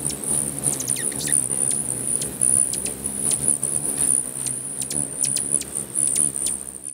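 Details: Many hummingbirds fighting over territory at a feeder in Bigfork, Montana, with fluttering wings; short high squeaky chirps in quick scattered bursts over a steady high-pitched hum and low wing whir.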